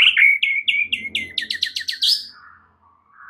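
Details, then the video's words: 'Isian' filler song from a White-rumped shama, used to stimulate a stalled caged bird: a quick sequence of sharp, downslurred notes growing louder, fading into a soft, low whistle. "Murai Batu FULL BONGKAR ISIAN"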